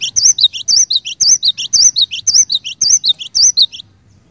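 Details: Cinereous tit pouring out song that stimulates others of its kind to sing; around eight fast, evenly spaced whistled double notes, high then lower, ending abruptly into quiet.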